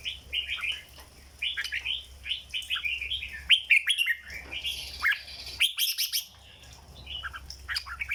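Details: Red-whiskered bulbul, a caged songbird, in the legendary 'rong dok' song style: continuous chattering warble of bubbly, slurred whistled notes with a few louder sharp phrases in the middle.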